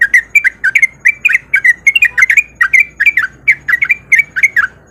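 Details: Sooty-headed bulbul, a male in breeding condition, chattering fast 'ropel' song to lure other bulbuls: a continuous run of short, slurred, bubbly notes about four per second for five seconds.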